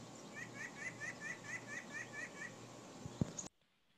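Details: White-breasted Nuthatch giving its most common call, a quick run of about nine nasal, slightly rising 'yank' notes, roughly five per second, over a soft background hiss.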